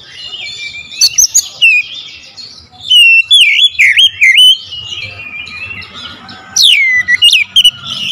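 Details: Oriental magpie-robin lure song, powerful and clear with sharp bursts: loud whistled notes that sweep down and warble, with rapid clicks and high shrill upslurs, in phrases separated by brief quieter gaps.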